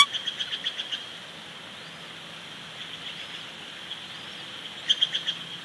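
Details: Wild bald eagles at a nest with young chicks at Big Bear Lake, recorded by live nest cam on 15 April 2019; a short series of high, piping chattered notes opens the clip and another burst closes it, over steady hiss.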